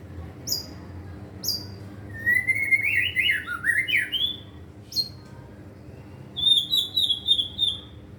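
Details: White-rumped shama practising continuous song packed with imitated material: two isolated sharp chirps, a winding whistled phrase that rises and falls, then a few more chirps and a quick level trill of clear notes.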